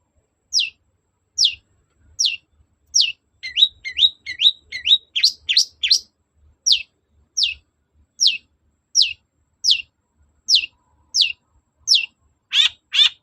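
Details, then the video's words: Long-tailed shrike (cendet) singing to provoke a reply: sharp downslurred whistles repeated roughly every 0.7 seconds, broken by a quick bout of chattering mimicry, ending in a harsh burst. "BURUNG CENDET GACOR NGOTOT || pancingan cendet agar nyaut gacor"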